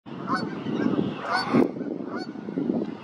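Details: Brant geese at Sainte-Catherine on 1 May 2023: a dense, continuous chorus of low, guttural, rolling honks from several birds overlapping, with louder bursts rising out of the flock's steady murmur.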